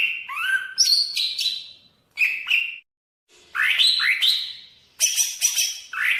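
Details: Greater green leafbird, Banyuwangi type from East Java, song variation 1: rich whistled phrases with rising sweeps and level notes, short gaps between bursts, ending in dense buzzy twittering.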